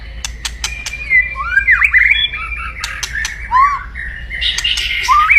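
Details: Captive white-rumped shama giving aggressive crackling song to rouse rivals: sharp clicks repeated between varied whistled swoops, slurred rising and falling phrases, ending in a dense burst of harsh notes.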